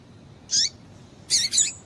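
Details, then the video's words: Female double-collared seedeater calling to excite males: one short, harsh high chirp followed after a pause by a quick double chirp. "Piado de Fêmea de Papa capim é Fêmea de Papa capim Chamando Para Esquentar Papacapim"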